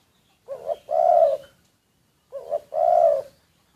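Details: Spotted dove kept as a decoy, secretly recorded, repeating a two-part phrase twice: a short rising double hoot followed by a longer, steady, hollow coo, about two seconds between phrases.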